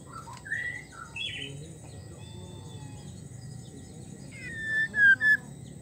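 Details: Female white-rumped shama in heat calling to a male: a few short whistled notes near the start, a long quiet pause, then three clear whistles around the end, with faint background hum.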